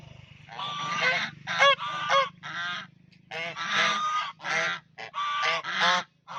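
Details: Duck in a pond producing a string of coarse, nasal quacks of varying length, some sharp and clipped, others drawn out, with a low steady hum in the background.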